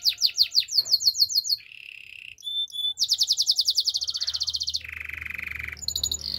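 A Belgian canary sings a high, bright song of rapid rolling trills, switching every second or so between chattering runs and steady, buzzy whistled tours.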